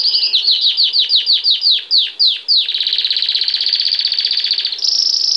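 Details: Belgian canary singing a lot in bell-like style: a run of quick downward-sweeping whistled notes, then a long, fast, even trill held steady for about two seconds, ending on a brief high buzzy note.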